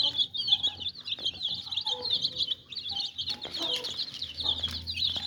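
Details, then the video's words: Baby chicks cheeping together in a shrill, wavering chorus of quick repeated peeps, with scattered softer lower notes and a background hum. "Beautiful Attractive Chicks Original Sound"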